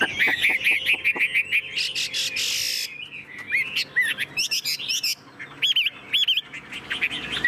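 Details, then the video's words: Tame Chinese hwamei kept in a cage, singing loud whistled phrases: a fast series of rising notes, a brief noisy burst, then repeated looping whistles separated by short pauses. "Chim thuần sách lồng hót"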